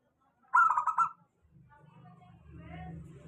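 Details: Single rolling, pulsed cooing phrase from a local zebra dove, a lure song for doves that rarely sing, followed by a low droning hum and soft murmuring noise.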